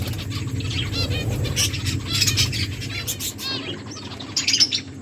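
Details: Finches chirping while eating food; a flock of high, quick, twittering chirps overlapping one another, with a steady low rumbling background throughout.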